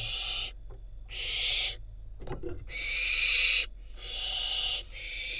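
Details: Barn owl youngster, wild in Israel, being brought a rodent by the adults: loud, raspy screeching hisses in long bursts, broken once by scuffling and clicking sounds.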